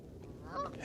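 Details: A single brief nasal honk from a Canada goose in a flock of about 60 with some Brant, at Castle Island, Boston, on a sunny winter morning, 3 February, 25°F, over low wind and flock noise.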